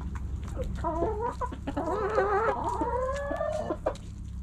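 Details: Backyard hens feeding cluck and murmur together in short, warbling, mid-pitched notes, with a longer drawn-out call rising over the flock and a steady low hum beneath.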